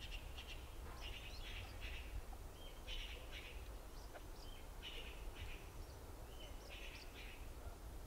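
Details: Several yellow-billed blue magpies at a dead monkey in Uttarakhand forest, India, give bursts of raspy, high, scratchy notes in groups of two or three, repeated about every second, above a constant low background hum.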